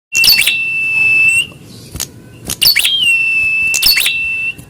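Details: Prinia answering a rival in a fighting-spirit test: sharp high chips followed by a long steady whistled note held over a second, then a second burst of chips and another held whistle.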